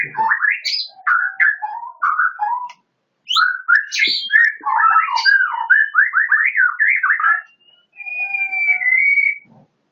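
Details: White-rumped shama of the Medan type singing loud, rich whistled phrases. Quick rising and falling slurred notes come in bursts of two to three seconds with brief pauses, ending on a steady held whistle. No other sounds.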